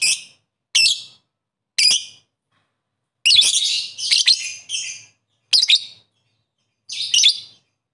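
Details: Lovebird calling to rivals with sharp, screechy single calls spaced about a second apart, then a longer harsh chattering burst, followed by more isolated shrieks.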